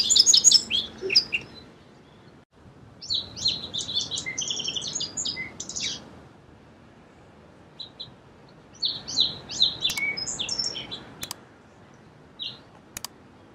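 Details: Song sparrow delivering separate song phrases divided by quiet pauses. Each phrase opens with clear repeated notes and runs into a jumble of quick high chirps and trills. Faint sharp clicks appear near the end.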